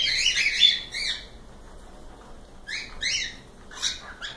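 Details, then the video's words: Cockatiels give a rapid series of short, raspy chirps in clusters, bursts of two or three squawks separated by brief pauses, with a quiet background. "Calopsitas Live Canto dos pássaros"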